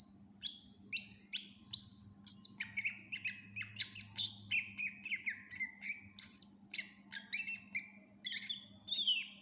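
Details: Greater green leafbird (cucak ijo) in gacor full-isian song, meant as a tutor recording for other songbirds: a rapid run of varied whistled and chattering notes, slurred down-slides and high sharp chips, nearly continuous, over a steady low hum.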